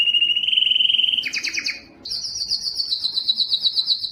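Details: Canary song recorded to stimulate male singing: a steady rapid trill, a brief two-toned rattle, a short pause, then a very high, fast, rattling trill.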